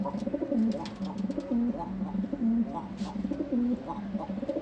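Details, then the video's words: Male domestic pigeon cooing in an indoor loft, its female mate having died; low, steady coos repeat about once a second with short level notes and soft rising phrases, while faint clicks and a man's voice come from the background. "এই যে নর কবুতর কিভাবে ডাকে দেখুন, এটা হলো আমার নর কবুতর যেটা ডাকতেছে এটা।"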